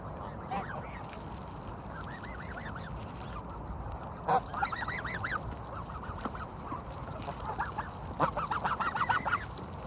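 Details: Spring Canada geese by Kirby Muxloe castle: scattered bursts of arched honks, a loud knock near four seconds, then a louder rapid cluster of honks at the end.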